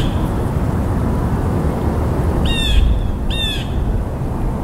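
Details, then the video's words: Two raspy, buzzy blue jay notes about a second apart, set against a continuous low rumbling background noise. "Blue Jay Bird Calls"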